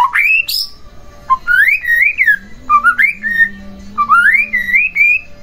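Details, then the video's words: White-rumped shama song played to excite a sluggish shama into singing; melodious rising and wavering whistled phrases in a slow series, with a faint low steady tone underneath. "Pancingan Murai Batu Agar Bunyi Langsung Emosi Bongkar Isian"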